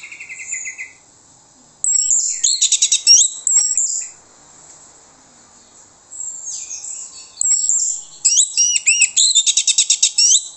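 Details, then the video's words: Orange-headed thrush song played as a lure so other birds reply: a low pulsed trill opens, followed by two long bouts of rapid, high, rhythmic chattering notes and slurs, with a quiet gap between them. "PANCINGAN ANIS MERAH MANTAP YANG LAIN LANGSUNG NYAUT"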